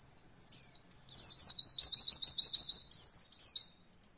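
Oriental white-eye singing a very high, thin song: a brief opening note, then a quick run of about a dozen sharp, even chirps, ending in sliding twitters.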